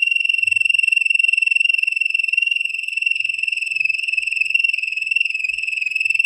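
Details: Training song of a Waterslager (Malinois) canary: one continuous bubbling roll on a single clear pitch, throbbing quickly and evenly throughout, with slight wavering in pitch.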